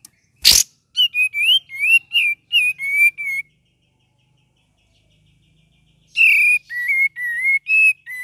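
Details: Cream-vented bulbul pouring out gacor and ngeriwik song for training other birds: a sharp snap, then about eight clear whistled notes wavering up and down, a silence of nearly three seconds, and another whistled run.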